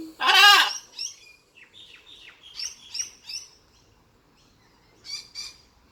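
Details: A male pet blue-and-gold macaw, noisy and playful while swinging, gives one loud, harsh squawk, then a run of softer high chirps and chatter, then a brief raspy burst near the end.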